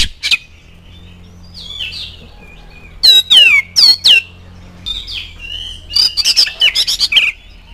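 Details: Oriental magpie-robin song played as a lure to make kept birds answer: scattered chirps, then bursts of sharp, steeply down-slurred whistles and squawky notes in quick irregular clusters, with a faint low hum underneath.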